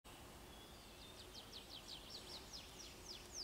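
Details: Tree pipit singing in a forest of the Drewnica Forest District on 12 June 2022: a fast series of high, thin downslurred notes repeated about every quarter second, quickening and rising slightly, over steady low background noise.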